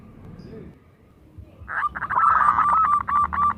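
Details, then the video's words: Local zebra dove, kept as a lure to get other doves singing, starts after a quiet spell with a dense burst of quick throbbing pulses overlaid by a thin wavering tone, rhythm fast and even. "perkutut lokal gacor bekur kerot manggung pancingan dan pikat topcer malas jadi bunyi"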